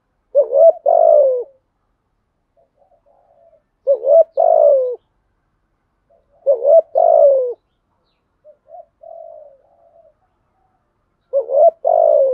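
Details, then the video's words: A spotted dove with a local 'earth' voice gives a full 'thúc gù' cooing routine, used as a lure: low, hoarse cooing phrases of several quick notes about every three to four seconds, with softer murmured coos between them. "chim cu gáy giọng thổ bài bản thúc gù, chim cu gáy đất bài bản gù thúc"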